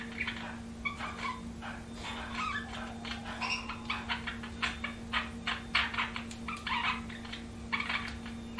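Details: Budgerigars chirping: a dense, busy run of short, bright chirps and chattering notes, several each second, over a steady low electrical hum.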